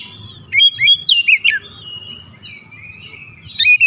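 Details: Oriental magpie-robin singing as a lure for arousing other birds: a cluster of clear, slurred whistles and chirps, then a long soft whistled trail and a final sharp burst, with low humming.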